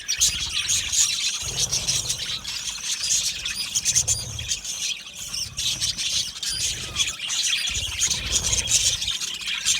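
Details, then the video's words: Colony of budgerigars in an aviary singing and chirping, a dense high twittering chorus with scattered sharp squeaks and steady background chatter from many birds. "Budgies singing and Chirping Sounds"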